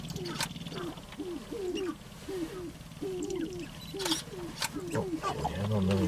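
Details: Male sharp-tailed grouse displaying on a lek to attract mates give rapid, low hooting coos, about two a second, with dry clicks and rattles mixed in; other birds call in the background, and a person speaks faintly at the end.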